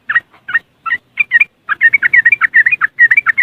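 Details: Yellow-vented bulbul from West Java, Indonesia, ngriwik song played as a lure for caged birds, phone recording: separate short warbled notes, then a fast run of bubbly chattering phrases.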